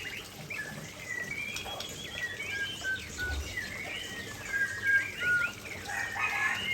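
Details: White-rumped shama singing beside falling water: scattered whistled and warbled phrases with brief trills and longer level whistles, partly softened by the steady rush of the waterfall.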